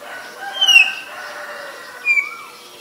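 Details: Black-collared starling in Ubon Ratchathani, Thailand, 17 April 2022: two loud, clear whistles, each sliding downward, spaced about one and a half seconds apart over a faint murmur of background birds.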